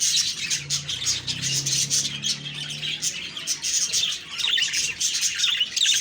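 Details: Morning budgie chirping from October 2, 2023: pulsing bursts of high squawky twitters and thin whistles, with a faint low hum underneath early on.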